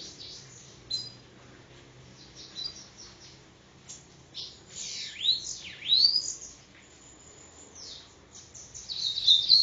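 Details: Bananaquit (sibite) in Parnamirim, Rio Grande do Norte, with scattered thin high chips, then two deep V-shaped whistled sweeps in mid-phrase and a brisk burst of high notes at the end.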